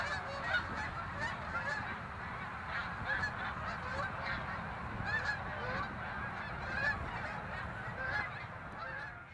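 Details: Snow geese migrating, steady flock murmur with clear barking yelps popping out every second or two, the chorus holding even throughout nearly ten seconds.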